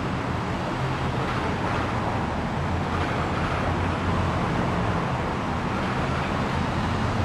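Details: Dense broadband roar of wind or moving water throughout, with no animal calls.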